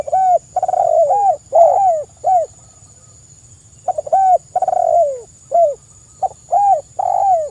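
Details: Tekukur, or spotted dove, singing vigorously in a recording meant to lure wild doves and set them calling. Two phrases of soft, arched coos are each capped by a longer falling note, with a pause between them. A steady high whine hums underneath.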